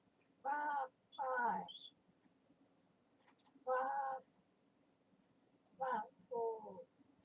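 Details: Pet talking parrot chattering indoors: five speech-like phrases with rich voiced tones, separated by short pauses, plus a couple of faint high squeaks and a low room hum.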